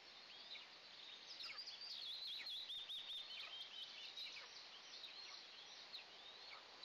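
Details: Two Eastern imperial eagle eaglets calling in their nest at their first breakfast of the day, June 29, 2024, on a nest camera; thin, high whistled chirps with downward-slurred notes come rapidly, about twice per second, over steady background hiss.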